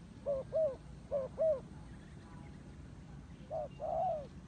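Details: Two pairs of soft turtle dove coos, a quiet pause, then a final double coo ending in a longer, drawn-out wavering note.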